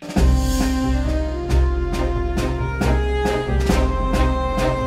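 Bowed string music with violin and cello plays in repeated swelling strokes over a steady low bass, with no animal sound.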